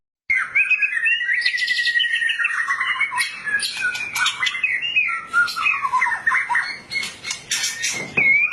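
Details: White-rumped shama of Thai origin in continuous, vigorous song, mixing sweeping whistles, harsh chatter and clicking notes in a dense, unbroken stream.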